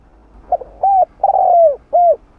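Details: Cooing spotted dove, 'hạp bổi' voice, played to rouse other doves: a soft clipped note, a steady hollow hoot, a drawn-out coo dropping in pitch, and a closing rounded hoot.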